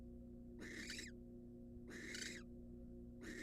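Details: Incubating wild barn owl in a nest box after devouring a mouse: three drawn-out, breathy screech-hisses about 1.3 seconds apart, each roughly half a second, backed by a faint steady hum.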